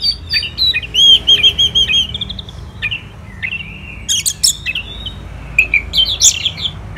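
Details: An orange-headed thrush from Kubutambahan, Bali, sings in the morning: a rapid series of repeated whistled syllables, followed by a drawn-out buzzy note and later clusters of sharp, high chirps.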